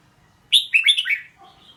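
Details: Red-whiskered bulbul singing one short, bright phrase of about five quick warbled notes, the first high and sharp, the rest sliding downward, ending with a faint softer note.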